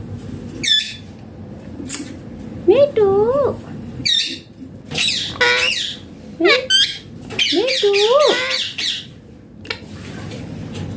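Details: [1, 'yes', 'talking', 'Indian Green Ringneck parrot talking indoors. Short wavering, speech-like phrases with rising and falling tones alternate with harsh high squawk bursts. The phrases come in irregular clusters over eleven seconds.']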